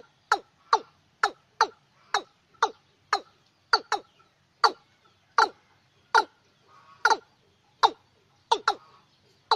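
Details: Night-luring watercock recording from 2024, meant for lunar months six to ten: a long, even run of short, harsh, downward-sweeping clucks, roughly two each second, with occasional double notes.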